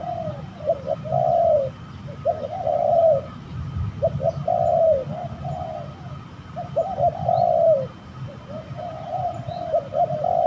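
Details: Spotted doves in combat during bird trapping at a spooky location: repeated clusters of coarse mid-pitched coos, each cluster with one long note among quick short ones, pausing briefly between clusters.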